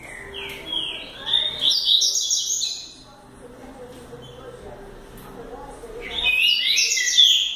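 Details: Juvenile double-collared seedeater, a future speed-song champion in training, singing a rapid, twittering high phrase, then a quieter pause with faint background noise before another bright burst of song begins.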